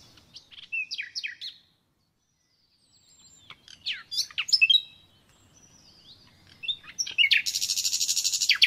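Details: Nightingale singing varied phrases: quick sharp downslurred notes, a short silence, scattered whistled swoops and chirps, then a loud, harsh, rapidly pulsed churring rattle of about ten notes per second to close.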